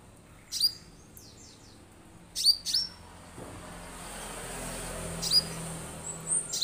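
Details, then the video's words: Orange-headed thrush call used as a lure to make other orange-headed thrushes sing at once: a few sharp, high, downslurred notes, singly or in quick pairs, a couple of seconds apart, over a soft rising background hiss. "suara untuk pancingan damer agar langsung bunyi"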